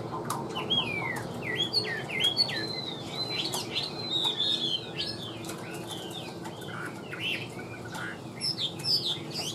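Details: Caged, mostly tame Chinese hwamei pouring out a varied, lively song of rapid whistled slurs and trills, with shifting pitch and rhythm throughout, over soft background noise.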